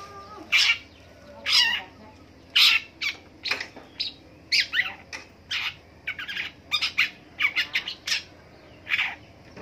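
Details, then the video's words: Morning song of a long-tailed shrike: loud, harsh, grating notes delivered irregularly, some single rasps and some in fast clusters of two or three, continuing for about ten seconds over a quiet background. "DENGERIN PENTET BUNYI DI PAGI HARI"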